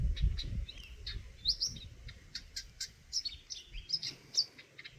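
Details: Chirping Eurasian nuthatch, with rapid high, clipped notes and some sliding whistles, partly overlapping, above low rumbling background noise in the first second.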